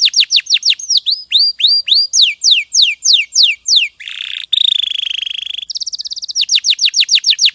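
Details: Champion canary singing a varied sequence: falling whistles, hooked rising notes, a buzzy rolling tour, then a resumed fast trill of down-slurred notes.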